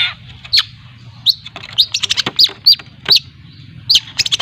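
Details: Lampung long-tailed shrike learning 'ngriwik' lure song: spaced, bright squeaky notes mixed with sharp clicks, coming in irregular clusters.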